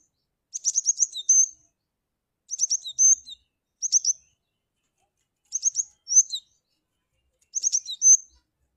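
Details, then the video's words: Lure call of a Cinereous tit, five quick phrases of fast high-pitched chirping notes ending in a brief whistle and a lower dropping note, spaced roughly every one to two seconds, no other sounds. "Suara panggilan Burung Glatik batu ampuh"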